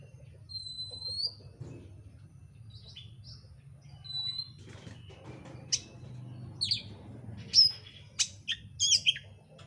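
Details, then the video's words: Lure song of an oriental magpie-robin, meant to provoke a bird into singing, described as dense, fast and insistent: scattered sharp upswept whistles and brief high chirps, growing busier near the end, with a steady low hum behind. "pancingan kacer gacor isian rapat cepat ngotot emosi"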